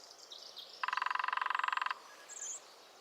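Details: Lesser spotted woodpecker, New Forest, drumming a rapid even roll of about twenty taps lasting a second, with thin high bird calls before and after.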